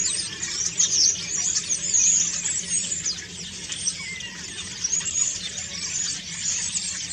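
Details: Common starlings singing in autumn while preening, a steady high jumble of squeals, rattles and clicking notes, with a few clear descending whistles woven through the continuous chatter.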